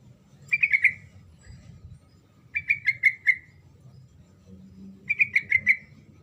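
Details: Sooty-headed bulbul singing continuously, its song used to provoke silent birds to answer: three short bubbly, warbled phrases of four or five quick notes, each about two seconds apart, over a faint low hum.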